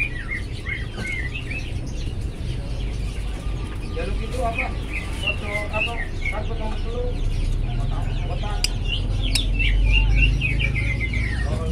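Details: Colourful lovebird singing actively: a busy run of sharp, high chirps and short rising and falling notes, some lower chattering notes mixed in, over a constant low rumbling hum.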